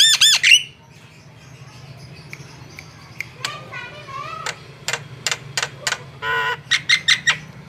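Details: Javan myna singing energetically, a song used to lure birds: a loud harsh ringing burst, a quiet pause, then scattered sharp clicks, a short warbled phrase, a buzzy note and crisp ticking notes.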